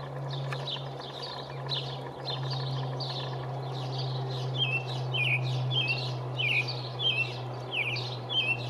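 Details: A male American robin sings from the top of a pine tree on 5/6/19, a steady run of short, clear, caroling phrases, nearly two per second, over a constant low mechanical hum; the recordist guesses this is territorial.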